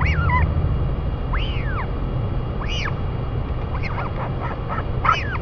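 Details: Royal albatross parents feeding a chick, New Zealand: swooping arched calls with harmonics, spaced irregularly, plus a cluster of short chirps, over low background wind.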